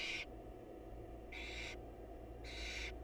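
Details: Barn owl chicks in a wild nest box being fed by their mother give three harsh, breathy hissing screeches about a second apart, short noisy bursts over a constant low background hum.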